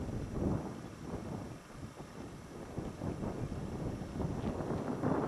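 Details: Only wind buffeting the microphone with low rumbling, no animal calls heard.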